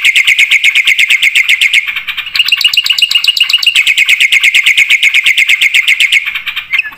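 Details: A black-winged starling in full voice with fill-in phrases. It delivers a very fast, even stream of shrill chattering notes, roughly four per second, with a short dip and a higher passage in the middle.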